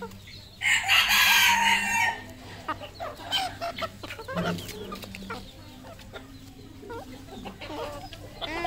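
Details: Red junglefowl kept as a decoy bird gives one loud, harsh, strained crow lasting just over a second, followed by scattered soft clucks, clicks and shuffling over a low steady background hum.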